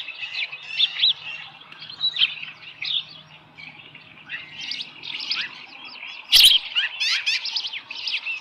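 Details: Osprey at a ranch nest with a small live fish, 13 July 2018, morning; scattered high chirps and short whistles, then a sharp knock followed by quicker, louder chirping.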